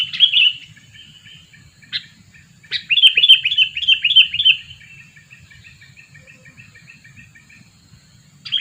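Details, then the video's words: Lure sooty-headed bulbul, two years old, used to attract wild birds: a loud opening chirp, then a rhythmic series of about six sharp downslurred notes in quick succession, trailing into softer repeated ticks over a quiet low hum. "Pikat burung kutilang , burung kutilang pikat umur 2 tahun"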